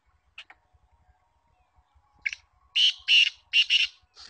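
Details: Trained female black francolin (kala teetar) giving harsh, grating, buzzy notes. A couple of faint short calls come first, then a quick run of five loud rasping bursts over about a second and a half.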